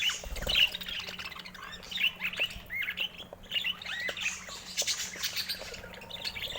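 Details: Budgerigars chattering together: many overlapping high, quick chirps and short warbled notes, with scattered squeaky peaks and a steady faint hum underneath.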